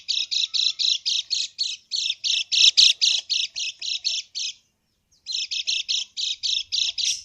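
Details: Lemon-bellied white-eye krekek lure call meant to stir quiet birds into answering. A long, steady burst of grating, buzzy chatter at about four notes per second stops for half a second, then resumes.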